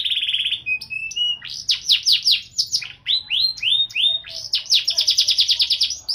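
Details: Canary singing in an elaborate 'gacor' style with 'cengkok mewah' variations: a fast buzzy trill opening, then a run of sweeping downslurred notes, short whistled phrases and a rapid rolling trill at the end, high and clear over a quiet background.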